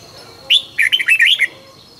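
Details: Red-whiskered bulbul morning song used for training, sung in the intense 'căng lửa' style: a quick run of bright whistled notes, rising and falling, packed into about one second, with a faint steady high tone behind.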